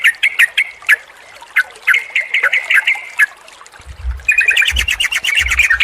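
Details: Lively trucukan song used to stimulate a non-singing, stressed trucuk: scattered sharp bubbly notes, then a dense rapid chatter near the end over low thumps.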